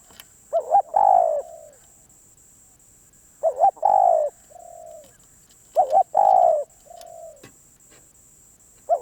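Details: A spotted dove coos in phrases about every two and a half seconds. Each phrase is a quick double-hitched note, a loud drawn-out hoot, then a softer trailing coo.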